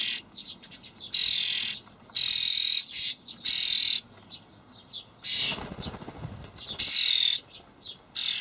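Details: Young common starlings begging as parents feed them dried buffalo worms in a Hamburg allotment garden on 28 May 2012: loud harsh rasping bursts, each about half a second, repeated in irregular bouts with short gaps.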